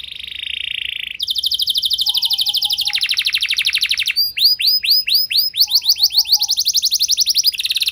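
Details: Song of a canary meant to set off other canaries singing. A steady buzzy note, then fast rattling trills at two pitches, followed by looping whistled sweeps and a brighter rapid trill.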